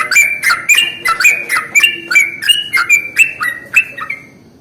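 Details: Yellow-vented bulbul used as a lure to draw in and set off other bulbuls: a run of quick, bubbly, slurred notes, some rising and some falling, about three each second. They end in a fading trail against a quiet background.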